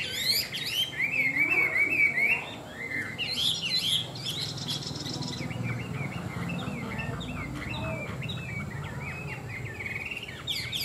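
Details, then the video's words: Tame Chinese hwamei with a strong song: rapid varied whistles and chattering trills at first, then quieter scattered phrases over a low background rumble and some rustling. "Họa mi thuần đẹp, hót tốt bộ to"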